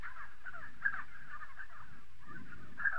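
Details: Spotted sandgrouse from southern Morocco, dense overlapping guttural chatter from several birds with two sharper accented calls, low rumble underneath.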